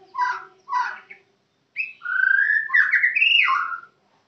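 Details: White-rumped shama from Kenyir singing: two short rich chirps, then a pause, then a long flowing phrase of clear whistled notes that slide up and down, with a faint low hum in the background.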